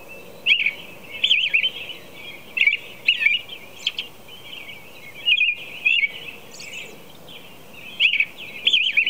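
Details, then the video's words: American robin singing at 4:00 a.m.: a steady series of short warbled, caroling phrases, each about half a second, rising and falling, given in clusters with brief pauses, over a soft constant background hiss. "American Robin Song"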